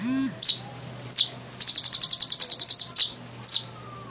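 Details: Energetic kolibri ninja sunbird song meant to draw other birds into singing. Isolated piercing high downward-sliding chips frame one long rapid trill of a dozen or more even, metallic notes.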